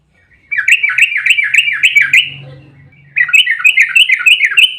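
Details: Yellow-vented bulbul in an emotional fighting song meant to provoke other bulbuls into singing: two fast strings of bubbly, repeated rolling notes with a gap between, plus a faint low hum.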